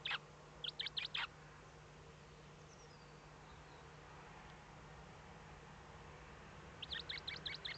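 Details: At a Eurasian eagle-owl nest in Germany's Eifel on 8 April 2014, 05:36, first chick just hatched: a rapid cluster of high, thin chirps, a long quiet gap with faint hiss, then another chirping burst.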